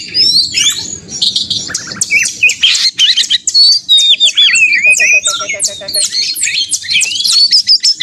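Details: White-rumped shama in a heated rivalry song intended to provoke other shamas: fast jumbled whistles, chips and slurred notes, a short run of evenly repeated lower pips midway, nearly nonstop.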